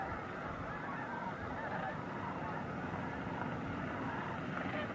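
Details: Snow geese at Bosque del Apache National Wildlife Refuge, December 2009, at sunset or sunrise: a distant, blurred roar of many honking birds, individual calls hard to pick out within the steady crowd noise.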